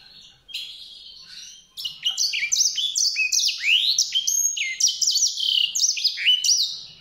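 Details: White-rumped seedeater song: after a soft start, a rapid, continuous warble of high, sweet whistled notes, many swooping upward, delivered at a fast, uneven pace.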